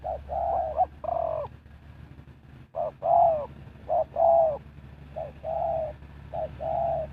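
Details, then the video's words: Spotted dove used as a decoy to lure wild birds for trapping, giving repeated low cooing phrases, each a short coo followed by a longer, slightly wavering croon, with uneven pauses and a steady low hum and faint background noise. "Sound Of Spotted Dove"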